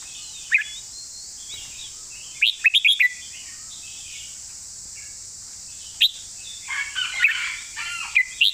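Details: Master-style song of a red-whiskered bulbul, with short clusters of sharp, liquid whistled notes, then a brief warbling run and a final quick flourish, separated by pauses and set against a constant high-pitched hiss.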